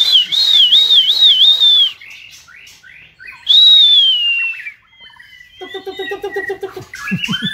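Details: White-rumped shama assessed for a singing contest: a loud wavering whistled phrase with rhythmic undulations, a pause with soft notes, then a long clear descending whistle, followed by rapid buzzy trills and varied chatter.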